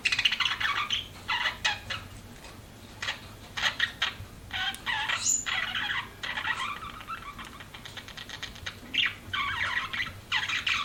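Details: Budgerigars kept as pets give a stream of short scratchy chirps and clicks in uneven bursts, with soft warbled chatter between louder notes throughout.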